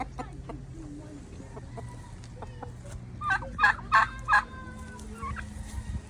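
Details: Turkey giving a burst of four loud, rough, rapid pulses in quick succession midway through, amid background human voices and low rumble.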